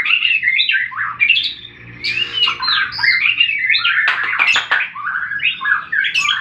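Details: White-rumped shama in a fight, played to provoke quiet birds into song: a busy flow of warbled whistles, harsher bursts in the middle, then resumed fluid slurred notes.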